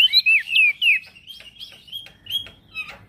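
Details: Actively singing male prinia, used as a master recording for other birds: three loud, down-slurred whistles, then softer chirps and clicks trailing off.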